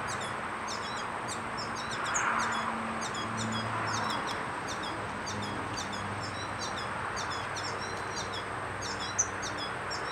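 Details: Yellow finch feeding young: rapid, high, thin chirps and short downslurred notes, repeated irregularly about three to four times a second over a steady background hiss.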